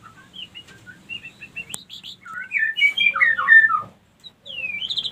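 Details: White-rumped shama female lure call used to stir other females into mating readiness; soft scattered whistles build into a loud run of varied slurred notes, then a brief pause and a rising whistle.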